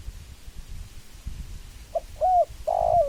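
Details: Spotted dove at the end of the recording giving a brief coo, then two longer mellow coos, the last one slightly wavering, over faint low background rumble.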